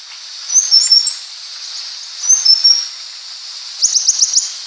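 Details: Leptocoma sperata, the purple-throated sunbird, gives high thin whistled note pairs about every 1.5 seconds, then a rapid buzzy trill near the end, with constant background hiss.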